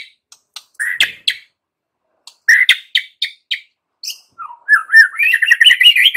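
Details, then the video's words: White-rumped shama lure song for getting young wild-caught and pastol birds into steady full song: scattered sharp chips and clicks, then a fast, lively run of warbled whistled notes that grows more continuous toward the end. "Pancingan Murai Batu MUDA HUTAN dan PASTOL agar GACOR NGEPLONG"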